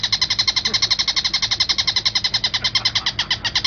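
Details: Long-tailed shrike song used as a master recording to train songbirds: an unbroken string of rasping, nasal notes, roughly four per second, evenly hammered out and slightly varying in tone, over a faint low hum.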